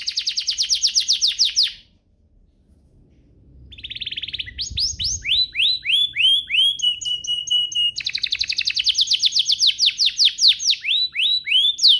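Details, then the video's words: Canary song for encouraging other canaries to sing: a rapid trill, a pause with faint background noise, then rising and falling swept whistles and a long fast repeated trill. "Pancingan ini Berhasil pancing kenari manapun jadi ikut GACOR, Pancingan kenari biar gacor"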